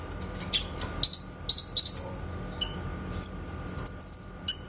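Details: Clear 'tembakan' shot song of a grey-cheeked bulbul, made as a master for training songbirds. Paired sharp high notes are followed by rising-falling whistles and quick doubled chips, over a quiet steady hum.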